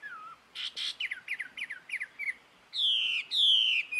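Jungle babbler chatter: two harsh rasps, a quick run of squeaky falling notes, then two drawn-out nasal squeals, all high-pitched and busy.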